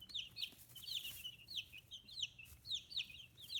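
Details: Young chicks fifteen days old on a free-range farm in Hiroshima Prefecture, Japan, give steady bright peeps that drop in pitch, several birds calling together with a faint rustle behind.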